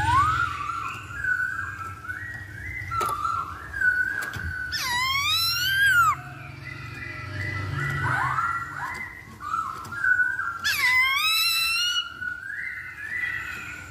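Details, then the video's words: Masked laughingthrush song used as a lure to make another bird sing: wavering whistled phrases broken by two loud bursts of harsh, chattering descending notes, with continuous low rumbling background noise. "Pancingan Poksay Hongkong Paling Ampuh"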